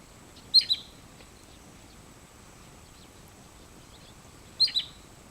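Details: Wood sandpiper arriving early on migration on 27 August, giving two high whistled calls, each a quick burst of two or three sharp notes, about four seconds apart, over a low steady background hum.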